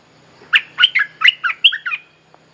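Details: Bulbul known in Thai as nok dok taeng and in Malay as merbah lekir, a mating-call lure phrase for teaching young birds: seven quick, bright, slurred whistled notes rising and dipping, delivered in about one and a half seconds against quiet background.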